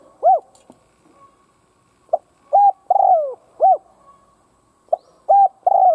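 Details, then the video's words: Decoy spotted dove cooing hard to goad other doves: loud, slightly distorted hoots, a drawn-out falling coo, then a fresh phrase starting with short clipped notes; quiet background hum. "Cu mồi gáy kích bổi chuẩn"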